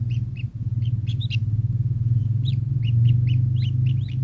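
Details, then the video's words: Kingfisher giving quick, sharp, slurred notes, several rising or arched, in a fast uneven series of about a dozen calls, against a constant low droning hum. "burung tengkek"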